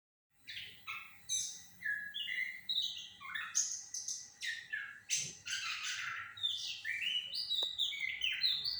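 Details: Sumatran laughingthrush, locally called goci, singing a lure song meant to provoke a reply: a dense, continuous run of loud, varied whistled and squawky phrases, rising and falling notes packed closely together for over eight seconds.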